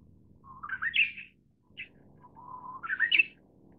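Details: Manchurian bush warbler (Horornis borealis), also called short-winged bush warbler, singing two phrases: each a low steady whistle rising into a quick, loud, tumbling flourish, with a short separate note between phrases; quiet background.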